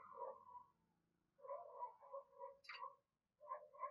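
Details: Captive decoy spotted dove in the morning, cooing to call wild doves in. Low, hollow coos come in a rhythmic run, pause briefly, then resume, with one short high rising note slipping in near the end.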